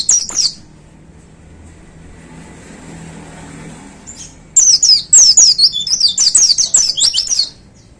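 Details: White-eye kept in a cage on its hanging pole, delivering a powerful chattering song. A brief burst of high twitters gives way to a quiet stretch with low rumbling, possibly traffic. Then comes a dense three-second volley of sharp, descending, high-pitched chirps and warbles.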